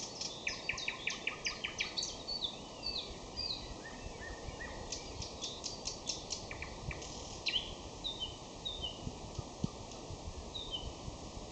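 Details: May song of a common nightingale, opening with fast runs of repeated high notes, then scattered whistles, trills and descending slurs, set against constant low ambient noise.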